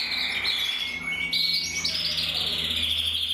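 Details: Two singing canary cocks, red-black intensive and red-black frosted, pour out bright rattling trills and long steady whistled tones, the phrases overlapping in a dense high warble.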